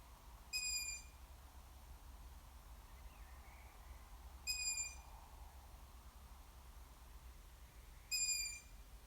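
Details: Juvenile long-eared owl calling three times, each a sharp high squeaking whistle under half a second long, spaced about four seconds apart, with faint softer squeaks between and a quiet low hum behind.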